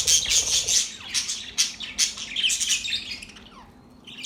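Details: Budgies give quick, scratchy chirps and squawks in bursts that thin out toward the end, leaving a quiet room.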